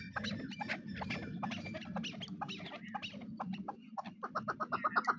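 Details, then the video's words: A hunting pair of Chukar partridges gives loud, rapid clucking with a steady low hum behind it. The calls end in a quickening run of regular, repeated chuck notes. "Chakor pair sound"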